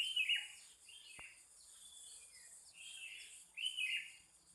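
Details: Several birds singing and answering one another in the morning at Pananjung Barat: bright chirps and warbled phrases, louder at the start and end, over a steady high insect-like hiss.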